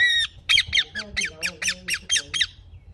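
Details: Pet ringneck parrot giving a nasal opening call, then a quick run of about nine harsh, rasping squawks packed into two seconds over a quiet background.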